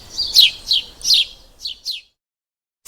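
A sparrow gives a quick run of five bright, sharp chirps, high-pitched and slightly downslurred, spaced about a third of a second apart.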